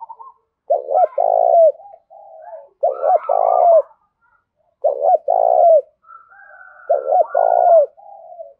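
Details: Spotted dove used as a decoy, cooing vigorously to stir up wild doves; low, hoarse coo phrases, each a short note followed by a longer rolling coo, repeated four times about every two seconds against a quiet background.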